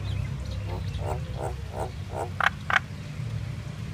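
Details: Singing common myna, fairly quiet: five or six low, bubbling croak-like notes in a row, then two abrupt sharp clicks, with a steady low rumble behind.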